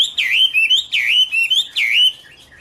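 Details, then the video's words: Chinese hwamei (Garrulax canorus), 2016: a strong, clear whistled phrase that drops and swoops back up, given three times in under three seconds, each followed by short level whistles. "Birds Garrulax canorus: Singer yellow mouth - wonderful birdsong"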